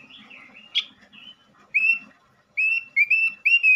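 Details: ['Male robin song meant to lure and stimulate other robins: a soft warble and a click, then short loud whistled phrases, each a clear note bending slightly, repeated in quick succession.']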